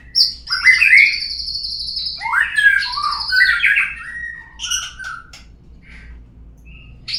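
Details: Lure song of a white-rumped shama, used to prompt other birds into singing: loud, varied phrases mixing sweeping whistles, harsh scratchy bursts and quick descending notes, tapering into quieter isolated calls after five seconds.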